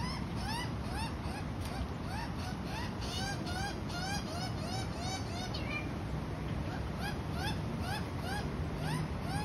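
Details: Australian magpie adult feeding a baby magpie: dense run of short, bowed, ringing call notes repeated rapidly, several overlapping at times, against constant low background rumble.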